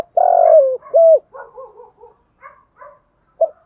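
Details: Spotted dove decoy calling to lure birds: a long rough coo and a short hoot, then soft repeated murmuring notes and one final brief coo.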